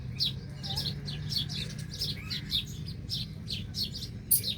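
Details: Several birds chirp while feeding by tree roots: dense, repeated high twittering notes in quick clusters, bright and slightly descending, continuing without pause above a soft low rumble.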